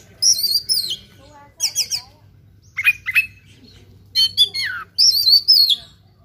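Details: Fighting oriental magpie-robin delivering loud, choppy bursts of song: sharp trilled clusters and harsh chattering notes, a falling squawky note, then rich whistled phrases near the end, separated by short pauses over a faint low hum.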